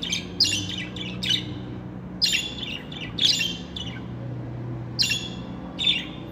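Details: Budgerigars kept as pets squawk and chirp in harsh, ringing bursts about once a second, in an uneven rhythm, with a steady low hum in the background.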